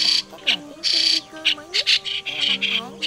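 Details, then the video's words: White-cheeked starling chatter from a 2020 trapping lure: rough squawks about once a second with short rasping bursts between, plus faint rising and falling whistled glides and a low hum. "Tiếng Sáo Đá Di Cư - Sáo Đá Đầu Trắng"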